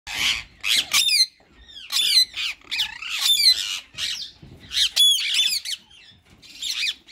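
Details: Two ringneck parakeets, a white male and a green bird, in talking mode: bursts of raspy, warbling chatter broken by sharp, ringing squawks, repeated in uneven spurts with short pauses between them.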